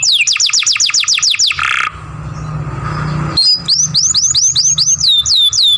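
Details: Young canary singing a masteran song with long grumbling sounds: a fast series of about ten high whistled downslurs, then a brief noisy pause, then a row of quick rising upslurred notes.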